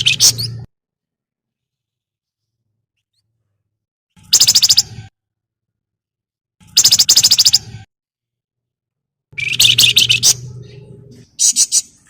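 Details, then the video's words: Javan myna (flamboyan) giving lively crecetan chattering, used as a lure so other birds sing diligently. Five separated bursts of grating, rapid-fire rasping notes, the longest nearly two seconds, with silent gaps and a faint low hum. "BURUNG FLAMBOYAN GACOR CRECETAN BUAT PANCINGAN"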